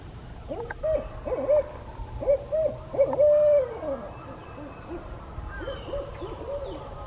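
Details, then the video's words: A male barred owl calling his mate by a pond gives a rhythmic run of deep, resonant hoots ending in a long, drawn-out hoot, then a few softer, more distant hoots. "Barred owl calling his mate"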